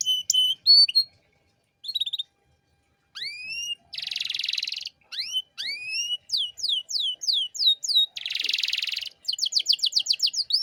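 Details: Canary master recording for teaching young birds: separate whistled phrases, rising sweeps, two harsh buzzy rattles and falling slurred notes, ending in a fast trill, with short silent gaps.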